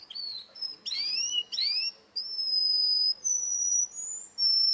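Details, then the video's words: Russian canary at a singing contest: bright upward-sweeping whistles with a fainter lower echo, then long steady pure tones that step higher in pitch. "kontes kenari rusia suara unik dan keren"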